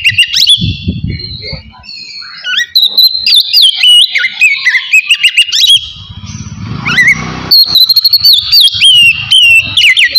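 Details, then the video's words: Kacer, the Oriental magpie-robin, in easy ngeplong singing meant to provoke breeding drive so the bird sings readily: varied high whistles and rising slurs with fast chattering notes, low rumbling noise early and around the seventh second. "KACER NGEPLONG SANTAI"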